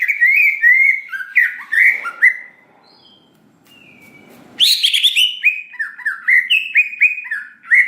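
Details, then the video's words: Greater green leafbird song meant to provoke birds: rapid slurred whistled notes, a quiet gap with faint rustle and a soft whistle, then a harsh burst and renewed fast whistling. "Pancingan Cucak Ijo Bahan Agar Cepat Emosi Respon Bunyi Gacor Nembak Isian"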